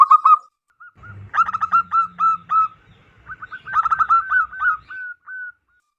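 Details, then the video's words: Zebra dove from the wild, loud and active, used to lure wild doves: a short coo burst, then two extended phrases of rapid, bubbling staccato notes ending in drawn-out rising coos. "PERKUTUT LOKAL ALAM GACOR SUARA BESAR DAN LANTANG COCOK BUAT PIKAT BURUNG PERKUTUT"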